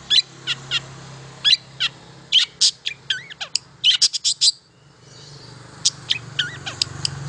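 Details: Song of a long-tailed shrike used to prompt quiet shrikes into singing: clusters of sharp high chips and short whistles, a brief pause near the middle, then sparser notes resuming, low hum underneath.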